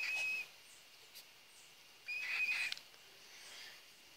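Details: Young cockatiels, chicks of a captive pair: two drawn-out level whistled notes with rasping breathy noise, separated by a pause of over a second.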